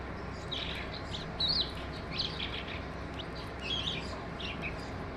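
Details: Singing skylark giving scattered high, rapid twittering phrases with sharp chirps, over a steady low rumbling background.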